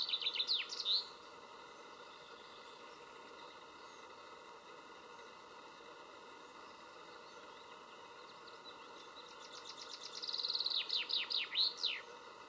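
A common chaffinch gives two bright, rattling song phrases that tumble downward into a final flourish, about ten seconds apart, over a steady low background hum.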